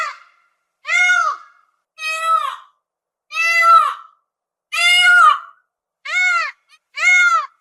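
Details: Peafowl giving loud, nasal, wailing calls, each about half a second long with a rising then falling arch, repeated six times at roughly one-second intervals, with clean silence between calls.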